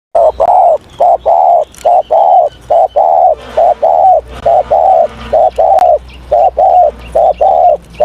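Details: Spotted dove in morning voice training, cooing loudly in a long run of short, low, hollow notes repeated evenly at a rapid pace, with some faint background chirping.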